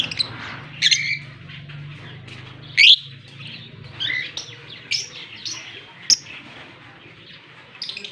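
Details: Kissing pair of a Fischer's lovebird and a blue masked lovebird in Larkana, Sindh, October 20, 2023; scattered high sharp chirps and one louder squawk near the middle, over a low steady hum in the first seconds.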